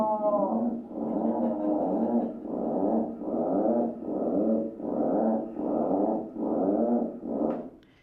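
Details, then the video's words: Atlantic puffins in the middle of a breeding colony in Maine, with birds flying in all around, giving low, growling moans in a steady run of about eight rough, purring bursts, each under a second long. "And this is what puffins sound like when you have the joy of being in the middle of a puffin colony."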